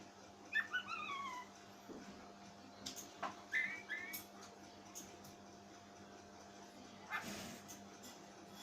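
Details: Oriental magpie-robin giving a strange call that frightened its owner: a quick run of short whistled notes sliding downward, then a brief second burst of higher whistles, over a steady electrical hum and faint indoor noise.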